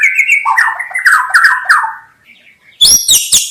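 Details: Singing white-rumped shama, played for bird trappers: a long varied run of rich fluted whistles sliding downward, a brief quiet gap, then three sharp high ringing notes with bright overtones.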